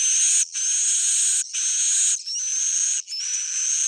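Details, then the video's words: Sustained, very high buzzy twittering from swiftlets in four long blocks about a second each, the later blocks topped by a rising whistled note; an old-style sound said to be proven. "SUARA JADUL Sudah Terbukti,swallow's original sound"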